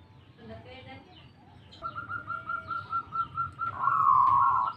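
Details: Local zebra dove answering at once and singing actively: after a faint start, a rapid stuttering coo trill at steady pitch begins near two seconds and swells into a dense, loud rolling burst at the end, over low background rumble.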